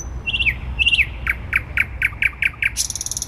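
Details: Song of a thrush nightingale in central Warsaw, 12 May 2020: short dropping notes in pairs, then a steady series of about eight evenly spaced chocks, ending in a dense buzzy rattle over a low urban hum.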